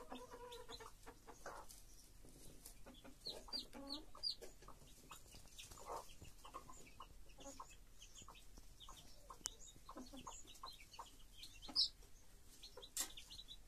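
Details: Chicken hen and her chicks: almost continuous sharp high peeping from many chicks, with occasional low hen notes near the start.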